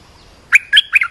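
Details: Olive-winged bulbul calling for training young birds and luring wild birds: after a short quiet pause, three strong, clear chirping notes follow one another rapidly, the last dropping slightly in pitch.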